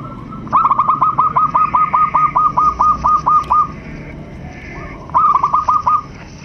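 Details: Zebra dove of Bangkok cross breeding, caged, singing a long rapid string of about fifteen short hooked coos, then after a pause a shorter burst of five, with a faint hiss behind.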